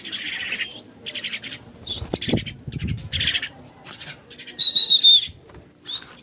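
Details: A pet myna, while being fed, gives harsh, scratchy chatter in quick bursts, with one clear rising whistle near the end; soft thumps and handling noises between calls.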